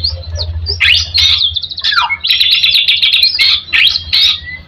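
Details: White-rumped shama song used as a lure to stimulate other shamas: loud, varied high phrases of whistles, rapid trills and sharp clicks, nearly continuous after a short pause, with a low hum beneath.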